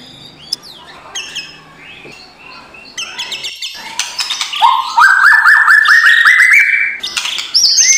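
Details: White-rumped shama song used as a morning lure for a reluctant singer: soft scattered whistles building into a loud rapid series of notes that climb steadily in pitch, ending with high buzzy notes.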